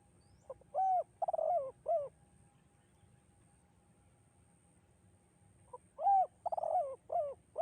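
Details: Spotted dove singing the two-note 'kuk 2' style with an echoing, melodious, lilting tone: two bursts of low, hollow coos, each a short note followed by a rolling, slightly descending phrase and a final coo, separated by several seconds of quiet.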